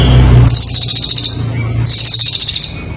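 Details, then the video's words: Master-song recording of a competition songbird: two quick, high, buzzy trills of under a second each, after a low thud, over a steady droning hum. "masteran burung lomba super gacor"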